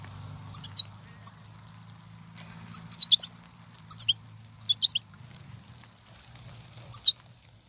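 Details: European goldfinch in the wild, 2019 recording meant to stir a caged bird into song: short clusters of tinkling, high twittered notes repeated every second or so over a low background hum.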